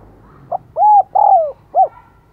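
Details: Decoy spotted dove repeatedly cooing to draw in wild birds; a single phrase of four soft low notes, a brief lead-in, a steady coo, a longer downward-gliding coo and a short closing note, over faint background hum.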